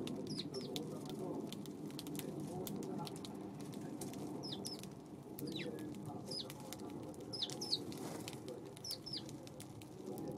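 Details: Eurasian tree sparrow on an April 25 afternoon: short, high, downward-sliding chirps repeated roughly every second, singly or in pairs, over a steady low background hum.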